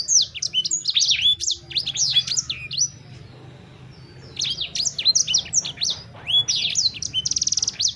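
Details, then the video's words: Sanger bird song used to set off singing in another sanger bird: dense runs of high whistled and chirped notes, a short pause near the middle, then more phrases closing on a fast buzzy trill. "Burung Sanger Anda Bunyi Seketika"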